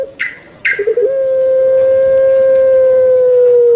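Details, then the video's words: Captive puter pelung turtle dove calling: a few short broken notes lead into one long, even, low cooing tone held for nearly three seconds, steady and unbroken, in a quiet setting. "𝙋𝙐𝙏𝙀𝙍 𝙋𝙀𝙇𝙐𝙉𝙂 𝙎𝙐𝘼𝙍𝘼 𝘼𝙎𝙇𝙞 𝙋𝘼𝙉𝙅𝘼𝙉𝙂 𝙆𝙒𝙊𝙆 𝙏𝙀𝘽𝘼𝙇"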